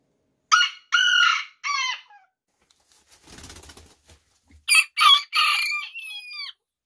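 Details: Bantam rooster (mini chicken) giving two high, strained crows, each a quick run of harsh syllables ending in a long drawn note, separated by a brief patch of rustling noise.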